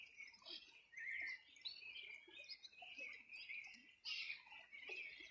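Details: Birdsong by the Río Bueno, Los Ríos Region, on a summer morning in 2020. Mixed chirps, trills and twittering from several birds overlap continuously, with a loud rush of notes near the end.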